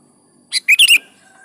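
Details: Sooty-headed bulbul song meant to draw caged bulbuls into answering: one short note, then three rapid, rich, bubbling notes.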